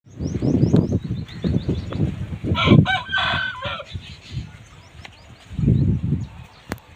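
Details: An aseel rooster gives a single ringing, harsh crow lasting about a second midway. Low thumping and rumbling fill the background, with faint high chirps from other birds.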